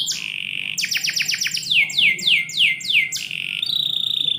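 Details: Canary song in the morning inside a house: a steady high note, a quick series of sharp descending clicks, then slower looping whistles that drop and flatten, about five in a row, closing on a held tone.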